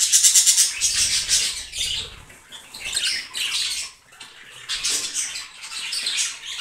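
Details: Breeding pair of budgerigars, yellow, blue and green, kept together, chattering in dense high warbling bursts with scratchy chirps, pausing briefly near the middle before resuming.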